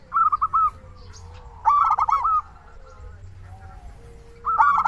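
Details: Vigorously calling local zebra dove, kept as a lure to stir other doves into calling: three bouts of quick, stuttering, fluty coos, each a rolling cluster of notes, with softer cooing from more distant doves between.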